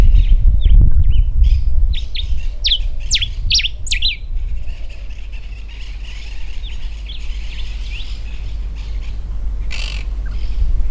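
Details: Common diuca finch singing its territorial song from a raised perch in algarrobo woodland, Mendoza, Argentina: a quick run of bright, sharply slurred whistled notes over about four seconds, then faint scattered notes, with steady low wind rumble.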